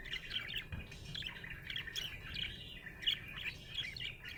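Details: Happy budgie chirping, a lively, nearly nonstop warble of high squeaky notes and quick chirps, rising and falling in short bursts, with a faint low hum behind.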